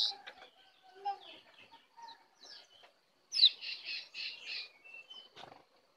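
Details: A wild brown cingcoang (jongkangan) arrives to attack, giving soft scattered chirps, then a loud burst of five evenly spaced, high, buzzy double notes, followed by a few thin fading notes.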